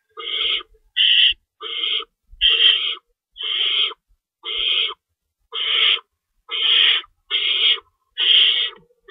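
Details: Owls in the nest at feeding time, 3:53 AM, March 25, 2012, with rabbits stored and an adult tearing food; a long run of about eleven raspy, hissing bursts at slightly uneven intervals.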